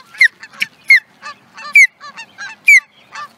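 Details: Osprey, Charlo, Montana, USA, 2017, calling loudly at close range: a repeated series of ringing, down-slurred whistled notes, about one a second, interspersed with softer shorter chirps.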